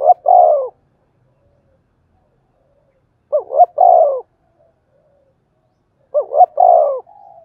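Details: Three spotted dove phrases roughly three seconds apart, thổ đồng voice, played to make wild-caught doves coo. Each is a rising double note into a longer descending coo, and a faint soft note trails the last.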